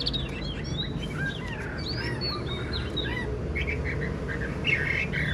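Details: Mature wild-caught caged Chinese hwamei singing a quick, varied run of clear whistled slurs and chirps, rising and falling, over a steady low rumble of background noise.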